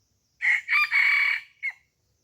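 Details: Crow of a decoy red junglefowl used to draw in wild birds: a short first syllable, a second burst, a drawn-out strained middle note, then a quick separate tail note, clear against a silent background.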